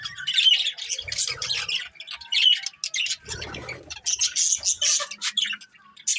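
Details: Colourful budgerigars chirping: dense, overlapping high chatter of squeaky chirps and scratchy warbles in quick bursts, with brief pauses and a short low rustling sound midway.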